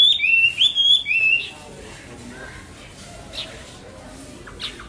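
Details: Chinese hwamei singing: loud, clear whistled phrases sliding up and down through the first second and a half, then fading to quiet background with a few faint chirps.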